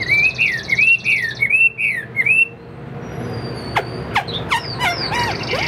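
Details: Caged Tam Hoàng Bóng Bộ Chinese hwamei, about 85% tame, repeats rolling whistled phrases for over two seconds, followed by scattered sharp downslurred notes and short trills against a low hum.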